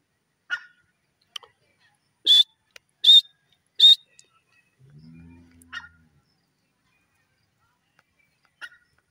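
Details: Grey francolin, known locally as dakhni teetar, gives three loud, high, clipped notes in quick succession, with a few faint scattered clicks and a soft low murmur before and after.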